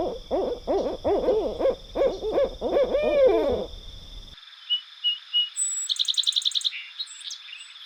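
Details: Barred Owl in the Eastern US giving a rapid run of rich, wavering hoots ending in a drawn-out descending note; faint high chirps and a quick trill from smaller birds follow.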